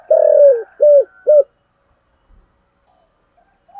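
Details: Calling coo of a spotted dove in the thổ voice style: one long falling hollow coo followed by two short ones, then near silence.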